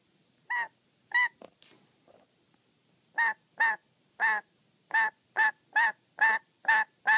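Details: Pet black-capped lory, angry and very wary, calling while watched as it plays with its favourite socks: harsh, nasal, harmonic squawks, mostly in quick repeated bursts of about two per second, with a short pause early on.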